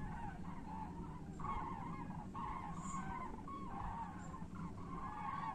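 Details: Common cranes on their way back to Europe: repeated hoarse, trumpeting calls from several birds overlap in short bursts, set over a steady low rumble of wind or distant traffic.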